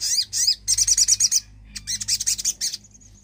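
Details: Javan cochoa singing hard, played to coax silent birds into song: dense runs of high, scratchy, buzzy pulses delivered very fast in two long bursts, ending in a thin steady whistle.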